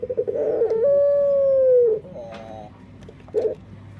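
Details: Unusually voiced dove: a quick rippling coo leads into a long pure sustained tone lasting over a second that sags at the end, followed by a fainter echoing note and a brief burble.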